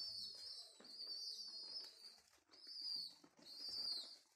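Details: Orphaned homing pigeon chicks, rescued from a mosque minaret under renovation and being hand-fed, give thin, high, squeaky wheezing in three long bursts of about a second each, faint room hum underneath.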